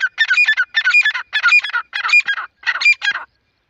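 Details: Black francolin, locally called Irani teetar, calling: five harsh, grating phrases in quick succession, each a dense burst of scratchy notes, spaced about half a second apart, with nothing else audible.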